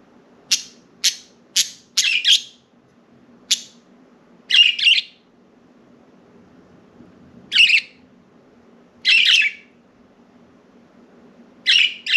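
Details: Four pet budgerigars free outside their cage indoors, perching on window blinds and flying about; a lively run of quick, scratchy chirps, several in rapid succession, then spaced squawky notes over twelve seconds.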